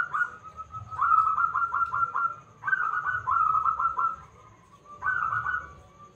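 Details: Local zebra dove with a big voice, singing as a lure to prompt other doves to respond. Stuttering rolled coos in three phrases, the trilled notes tightly packed, over a steady low rumbling background.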